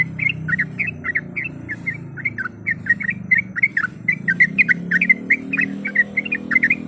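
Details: Female yellow-vented bulbul calling for a male as rival provocation: quick bubbly chirping notes repeated rapidly over a steady low hum of traffic or engine noise.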